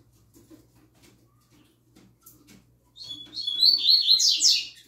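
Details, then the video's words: Novice young double-collared seedeater, a caged bird singing in the "tui tui zel zel" style. Near-quiet room sounds lead into one bright, fast phrase of high slurred whistles ending in rising buzzy trills. "OLHA O CANTO DO PAPACAPIM FILHOTÃO NOVATO!!! ELE ENCARTOU O TUI TUI ZEL ZEL!!!"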